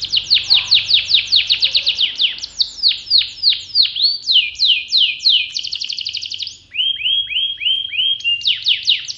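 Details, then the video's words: Active kenari pocong canary song: rapid descending whistled notes, slurred swoops, a metallic high trill, then a run of lower falling whistles and more sweeps. "Kenari pocong gacor gela gelo"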